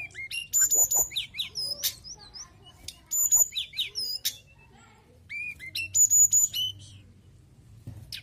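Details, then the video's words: Mountain tailorbird in lively song: high, thin whistled and chirping phrases with short sharp trills and upslurred notes, delivered in rapid bursts separated by brief pauses, with a faint low background hum. "TLEDEKAN GUNUNG GACOR"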